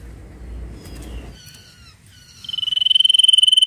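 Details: Sirtu singing ngetir: after low rumbling noise and a few thin whistled slurs, a rapid, regular, high-pitched pulsed trill starts and grows louder to the end.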